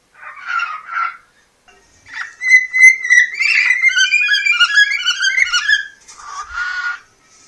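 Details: Pet cockatiel from Poland, a talking-bird championship competitor, singing to its beloved: two short chirps, then a long warbling whistled melody of rising and falling notes with rich overtones, ending in a brief trill.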